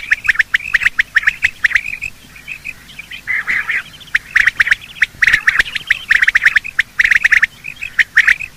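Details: Male and female quail morning calling, used to lure quail in hunting; rapid clusters of sharp chirps and squawky bursts, irregular, roughly one group every second, many overlapping voices throughout.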